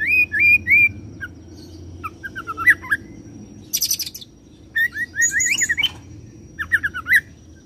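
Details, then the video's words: Oriental magpie-robin performing a cililin roll followed by serindit imitation: looping whistled phrases, some rapid and jumpy, mixed with dense high buzzy chatter in short bursts and faint background noise. "KACER ROLL CILILIN SAMBUNG SERINDIT"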